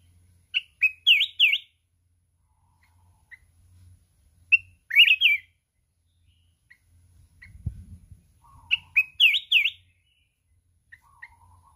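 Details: Red-whiskered bulbul from the mountains singing in contest and flapping its wings continuously, in the kít bổi forest-voice style. Three quick, loud warbling phrases of bouncing whistled notes, separated by soft single chirps, plus a brief low thump.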